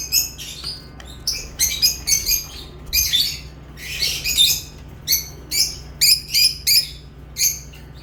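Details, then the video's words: Crisp, high, squeaky lovebird chirps repeated in quick succession, many short separate notes with occasional longer chattering runs, against a faint hum. "Love birds chirping sounds"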